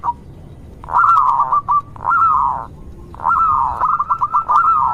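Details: Local zebra dove singing to prompt other zebra doves to answer: drawn-out slurred coos broken by stuttering, rolling notes, with a longer trilled phrase near the end.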